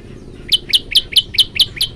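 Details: Tailorbird in full, varied song: after half a second of quiet, seven sharp, high chip notes follow at an even pace of about four per second. Each note is ringing and slightly downslurred, over faint low hum.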